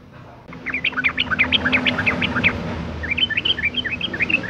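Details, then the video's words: Female yellow-vented bulbul in breeding condition used as a lure for males: a steady stream of quick, bubbly chirping notes for two and a half seconds, then softer, twisting phrases, over a constant low hum. "suara panggilan burung trucuk betina gacor birahi"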